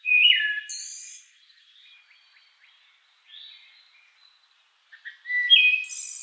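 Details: A Song Sparrow in the eastern US in spring/summer sings a bright phrase: clear slurred opening notes, a thin high buzz, then a loose trill, starting again after a short pause.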